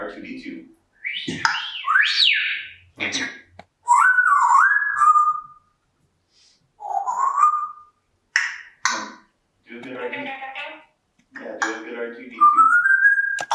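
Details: Pet female African grey parrot indoors during her normal morning routine, chattering in a loud varied string of rising and falling whistles, gurgles, clicks and speech-like babble, with short pauses between phrases.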